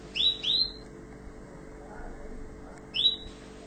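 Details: Orange Tunisian canary giving a quick pair of upswept whistled chirps, a pause with a faint low murmur, then another single rising tweet, all high and crisp over a low hum.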